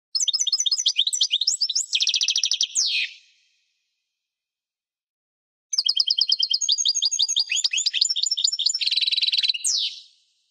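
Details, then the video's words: Two bursts of European goldfinch song separated by silence, each a quick liquid twitter running into a dense rattling trill and closing with a steep downward harsh note. "chant de chardonneret"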